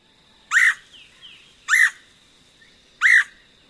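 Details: Red-headed Woodpecker giving its very forced "weir" call note: three harsh, short, buzzy notes spaced about every 1.2 seconds, with a faint steady hum behind.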